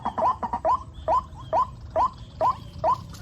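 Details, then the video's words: White-breasted waterhen chicks in the rainy season give short, rising, squeaky notes. They repeat steadily about twice a second over a low rumbling background. "Musim hujan banyak anakan burung ruak-ruak"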